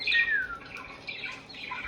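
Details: A newly acquired female pet budgerigar, responding to being called a pretty bird, gives a short, harsh downward-sliding squawk followed by softer scratchy chatter, indoors.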